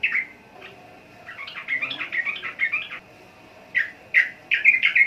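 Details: Sooty-headed bulbul: a sharp opening note, then a jumbled burst of chattering, bubbly notes, a pause, and several loud separate chirps toward the end; low background hum.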